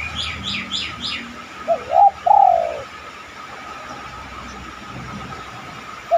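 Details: Quick high chirps from another bird open, then a spotted dove gives one cooing phrase, two short notes and a long sliding coo. The cooing serves as a lure to make other doves coo, with a low hum underneath.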